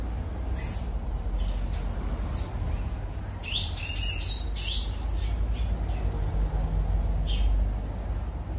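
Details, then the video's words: A tanager (sanhaço) at Pontal Verde sings a run of thin, squeaky, high chirps and slurred notes in quick bursts over a steady low rumble. "Sanhaço canto"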